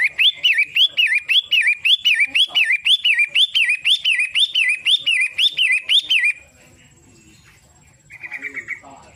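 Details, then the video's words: Long-tailed shrike giving rhythmic wavy whistled notes, rising and falling, roughly two each second for six seconds, then a short pause and a brief fainter buzzy phrase. "Burung Pentet matahari"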